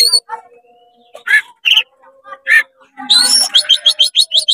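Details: Oriental magpie-robin in fast, agitated song with tail spread, aimed at provoking other magpie-robins; scattered harsh notes and soft tones give way to a rapid series of bright repeated high chirps.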